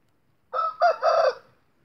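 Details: Short crow of an Indio rooster, a game breed kept for breeding: one brief harmonic, nasal crow under a second long, in three joined parts with the last one longest, over a quiet background.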